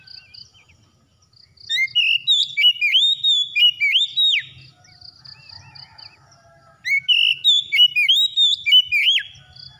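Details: Magpie-robin singing, a recording meant to coax a silent bird back into song: two bursts of rapid whistled phrases with rising slurs and sharp chirps, separated by a quiet gap of about two seconds.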